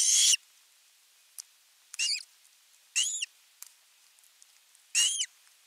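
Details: An osprey on a Finnish nest, 10 August 2021, calls long for fish. Four rasping, high squeals with a rising inner tone are spaced about a second apart, with faint ticks between them.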